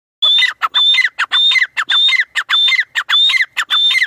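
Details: Partridge calling: a loud, ringing two-part phrase, a high whistled note dropping to a lower note, repeated roughly twice a second for about four seconds with short gaps, no other sounds.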